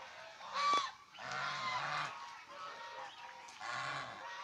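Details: Domestic swan geese (Chinese swan goose) give harsh, nasal honks in three bursts, each lasting about a second, with a brief higher squeak near the start.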